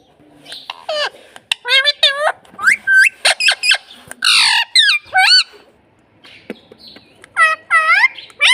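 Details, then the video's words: Talking pet parrot mimicking "mummy" and "papa": a rapid string of harsh squawks and curved, voice-like syllables, some swooping up and down, in bursts over several seconds with short silent gaps. "parrot talking mummy papa"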